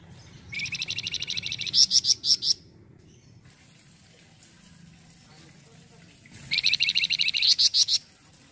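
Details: Flamboyan bird singing in a lively style as tutor material for white-rumped shamas: two bouts of fast, high, buzzy trills that build into louder, sharper notes, with about four seconds of near silence between them.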